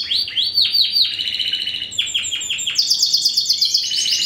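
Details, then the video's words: Captive-bred Spanish Timbrado × wild-type canary cross from 2015 sings repeated downward-swooping notes, pauses briefly, swoops again, then finishes with a quick, high rolling trill. "Timbrado Español x Serinus Canaria"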